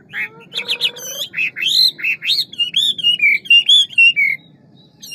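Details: Hwamei, a large fine-looking bird, singing a varied wild-style song with many voices: rapid sequences of loud whistled notes, rising and falling slurs and harsh trills at the start, ending in clear descending whistles, with a low background hum.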